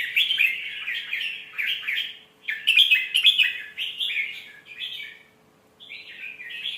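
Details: Red-whiskered bulbul singing a melodious, phrase-rich song played to teach young birds: short warbled, bubbly phrases repeated about twice a second with brief pauses, plus a steady faint low hum beneath.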